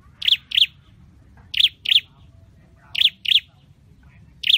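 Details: Caged Scarlet-headed flowerpecker in song training: sharp, high chirps given in quick pairs, each pair about 1.3 seconds apart, over faint low background rumble.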